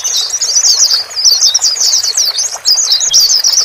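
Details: Male and female white-eyes chattering to lure a newly purchased bird into adapting to its own cage; continuous high, busy twittering of rapid squeaky chirps and trills with no pauses.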